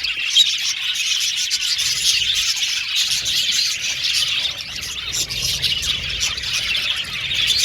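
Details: Budgerigar colony in an aviary, many birds chirping at once in a high, rippling chatter with scattered sharper tweets over a faint low rumble.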